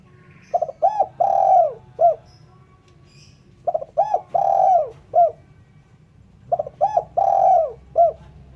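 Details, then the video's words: Spotted dove calling, meant for luring birds: three regular phrases about three seconds apart, each a stutter of short notes, a long mellow coo bending down at the end, and a single short final coo. "Suara Burung Terkukur/Derkuku bersih cocok untuk PIKAt."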